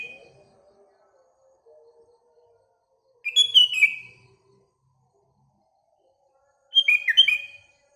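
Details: Morning song of a sooty-headed bulbul with surrounding birds: two short bursts of warbled, bubbling whistles about three seconds apart, separated by quiet, with a soft low tone in the background.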